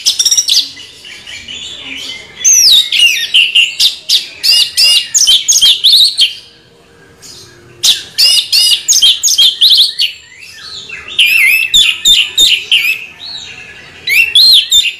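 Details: Orange-headed thrush rolling song: long, continuous runs of varied whistled and scratchy phrases, bright and high, interrupted by two short pauses.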